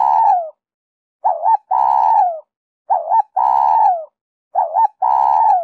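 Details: Song of a spotted dove in the style known as 'Giọng Kim 2 hậu', played to attract wild doves. Quick double coos, each followed by a long, gently falling hoot, repeat about every one and a half seconds.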